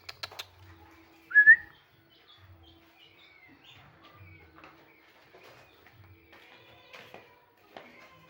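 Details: A tame, free-roaming 11-month-old Javan green junglefowl, one of a pair hatched from eggs, gives one short, sharp two-note call, high and slightly rising, early on. Faint clicks and soft rustling fill the quiet that follows.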